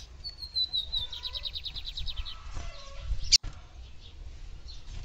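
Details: Calling female lined seedeater, meant to stimulate the male: a thin high whistle runs into a fast descending trill of rapid notes, then a single sharp click, against low rumbling noise.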